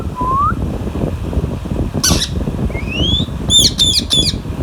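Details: Alexandrine parakeet feeding on mango beside a ringneck parrot. Short upslurred whistles and one noisy burst, then three quick harsh squawks in a row, over constant low-pitched mechanical hum.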